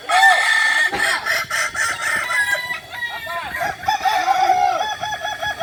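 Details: A Kokok Balenggek rooster practising with others in Ampang Kualo, Solok City, West Sumatra gives a long crow of many short, regularly repeated looping notes. Overlapping crows from neighbouring birds sound alongside.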